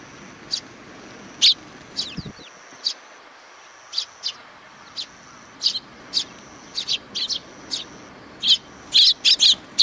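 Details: At a Tenmangu shrine in July 2020, sparrows gather to greet people with high chirps, sparse at first, then quickening into dense overlapping bursts toward the end.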